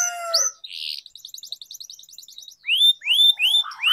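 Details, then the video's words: Canary song used to train and tutor canaries: a short flat harmonic note, a rapid high ticking roll, then loud upward-sweeping whistles repeated roughly three times a second. "Canary Singing Training, Kenari Gacor Ngerol Panjang,Pancingan Kenari Macet, Masteran Kenari Paud"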